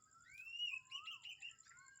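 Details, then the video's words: At Kamphaeng Saen in the morning, birds give a long rising whistle that holds level and wavers into trills, while a lower whistle slides beneath it. A faint high continuous tone persists. "เสียงนกยามเช้า ที่นี่กำแพงแสน"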